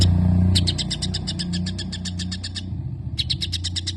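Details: A white-rumped shama delivers long sparrow-imitating passages of fast, bright chip notes in two runs separated by a short gap, over heavy low background rumble.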